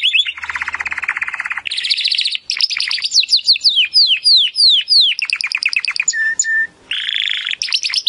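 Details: Training song of a Timbrado canary: a low rapid rattle, higher buzzy trill, cascading falling notes repeated quickly, a short flat whistle and further trilled tours, delivered as a long varied stream.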